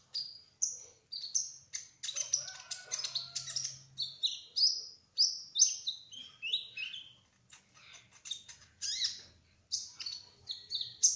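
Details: Sunbird known locally as kolibri ninja pouring out trotol-style song: rapid high chirps, whistled slurs and short trills, nearly continuous, with a faint low hum in places.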